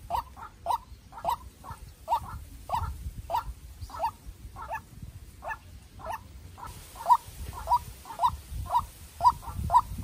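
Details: White-breasted waterhen, a young captive-bred decoy bird, calling in a contest with a wild bird: hoarse mid-pitched notes repeated about twice a second for ten seconds, with softer answering notes between them and low rumbling background noise.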